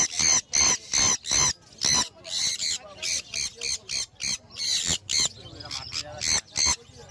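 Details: Pet jandiya conure, a sun conure, screeching repeatedly in harsh bursts at roughly two or three per second, fading into lower chatter, then loud again toward the end.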